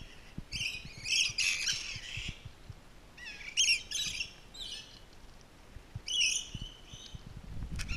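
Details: Zoo rainbow lorikeets at Twycross during enrichment produce grating, high-pitched screech bursts in three clusters separated by brief pauses, with soft background rumble.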